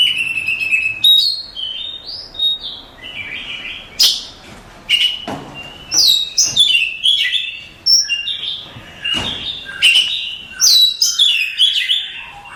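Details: Champion contest Oriental magpie-robin pouring out rich, varied song: sliding whistles, sharp clicks and bright twittering phrases following each other with little pause, all high-pitched.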